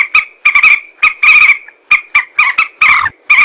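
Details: Common moorhen (Gallinula chloropus) giving harsh, croaking kurruk calls, about ten short bursts in quick, uneven succession, some paired.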